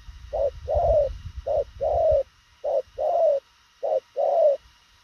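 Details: Fast-cooing spotted dove: four evenly spaced pairs of low, hollow coos, each a brief note followed by a longer slightly falling one, against low rumbling background noise.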